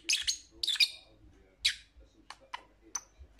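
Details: A few loud, harsh lovebird squawks open the sequence, followed by thinner, shorter high chirps spaced irregularly.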